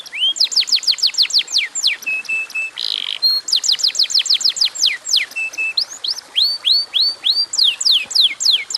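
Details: A canary sings strings of falling whistled notes, brief flat tones and a short harsh burst, then a run of rising upswept notes, delivered rapidly and without pause.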